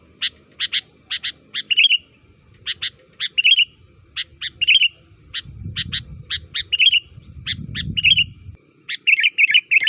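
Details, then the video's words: Sooty-headed bulbul calling to make other bulbuls reply and sing: paired sharp chirps each followed by a short bubbly warble, repeated steadily, with a faint low rumble in the background at times. "Suara Panggilan Burung KUTILANG GACOR Ampuh, Burung Kutilang Lain Auto Nyaut Dan Ikutan Gacor"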